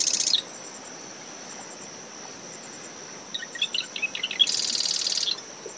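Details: In the early morning, beside a nest in dune vegetation at SMNWR, a marsh wren ends one buzzy trill, then after a pause gives another song of dry ticks rolling into a rapid rattle; wind, waves and a steady cricket carry on throughout.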